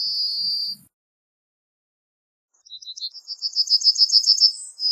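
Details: The tail of one Yellowhammer phrase, a sustained high note, then silence. After that a new run of rapid, repeated metallic notes starts and builds in loudness toward its held ending.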